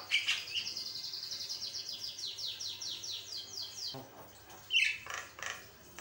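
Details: Vocal Javan myna singing a varied song meant as a master recording for teaching other mynas: a rapid, buzzy descending trill of quickly repeated sweeps, then a pause and a few sharper chirps.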